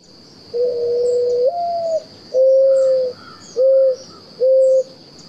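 Mourning Dove song: a long, low coo that slurs upward, then three soft, hollow coos, each shorter than the last. A faint steady high whine runs underneath.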